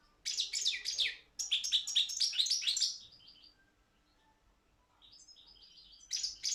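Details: Balkan European goldfinch, Carduelis carduelis balcanica, recorded for an internet world championship in goldfinch song: two rapid runs of high liquid twittering and trills, a softer stretch with thin notes, then the song resumes.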